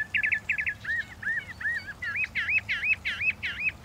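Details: Northern mockingbird repeating paired clipped notes, then switching to a steady series of arched, slurred whistles given about three times per second, steadily growing louder.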